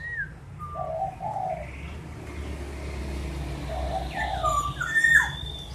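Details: Black-naped oriole giving soft fluty whistled notes in pairs, with a few thin higher whistles from another bird and steady low rumbling noise underneath.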